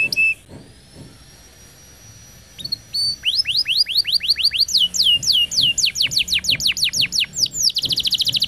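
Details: Canary song used to train young canaries and to stimulate non-singing birds: a thin steady whistle, then a long series of rising sweeps that speeds up into a tight high trill.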